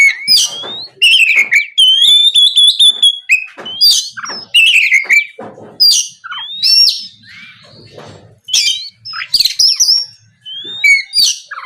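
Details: Oriental magpie-robin pouring out an energetic song to draw rival birds to answer: long sustained whistles, quick harsh bursts and upslurred notes repeated in dense sequences.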